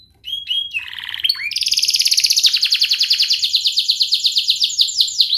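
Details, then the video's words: Canary song used to train young canaries: a few short whistled and falling notes open into a sustained, fast rolling trill of rapid pulses that carries on to the end. "Kenari gacor NGERIK Cuit Cuit Ngerol nembak - Pancingan kenari paud belajar bunyi"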